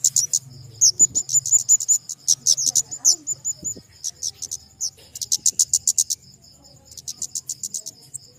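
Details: Flowerpecker (kemade) giving rapid series of thin, very high chirps and short trills, bursts of sharp notes repeating across the clip over a faint low hum.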